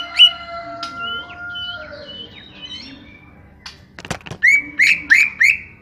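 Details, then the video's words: A small-bodied greater green leafbird sings a mix of long thin whistles and slurred notes, then several cracking clicks, then a string of loud, strident, rising whistled phrases. "Setting Cucak Hijau Body Kecil"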